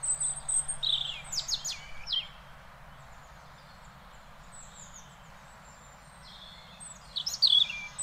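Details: In the Netherlands, a European robin sings a thin, wavering phrase of high descending whistles and trills. A pause follows, then another short, sparkling high burst near the end.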